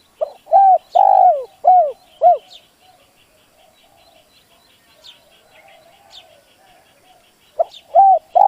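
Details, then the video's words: Decoy spotted dove calling to provoke wild doves. Its phrase of pickup note, long coo and two short falling coos repeats after a quiet gap of about five seconds. Scattered high chirps sound in the background. "Tiếng chim cu gáy dùng kích bổi lâu nổi, bổi khó cỡ nào nghe là gáy"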